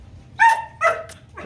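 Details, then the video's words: Pet cockatoo, a parrot kept at home, voicing short harsh speech-like syllables, two loud rasping bursts followed by a fainter one, after a spoken greeting. "Cockatoo Parrot talking and dancing"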